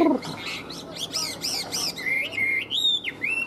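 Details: Chinese hwamei kept in a cage and in full singing form: a few rising and falling buzzy notes, then long clear whistles held and bent upward, loud and close.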